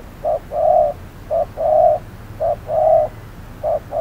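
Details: Trapping decoy spotted dove calling in the midday heat: loud, full two-note coos, short then drawn-out, repeated about every 1.2 seconds.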